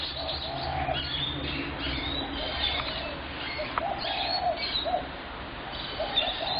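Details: Spotted dove recorded 21 January 2017, low hoarse cooing phrases near the start and again later, amid a busy chorus of high chirps and twitters from other birds.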